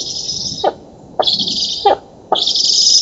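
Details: Feeding at a black stork nest in an oak tree in Poland, 11 August 2017: young birds give three long, hoarse, hissing wheezes, the last rising in loudness, with sharp clicks at their starts and ends.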